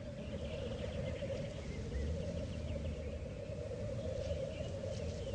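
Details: Lekking black grouse produce an unbroken, low rolling bubbling drone for the whole stretch, overlapping voices blending into one murmur, with faint distant chirps above.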